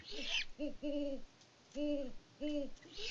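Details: Pair of great horned owls on a farm in Peabody, Kansas, February 2024, hooting to each other: four deep, mellow hoots in an uneven series over about two seconds, with short bursts of hissing noise at the start and end.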